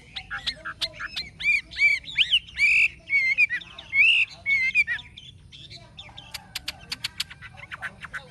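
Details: Wild-caught adult Chinese hwamei in a cage, singing forest-style: loud, ringing, wavering whistled phrases with harsh overtones, then a quieter stretch of short sharp chips and scattered high notes.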